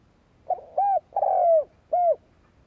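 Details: Spotted dove kept as a decoy, cooing to provoke wild rivals: a short opening note, a rounded arched coo, a long purring coo sliding downward, then another arched coo. The background is quiet.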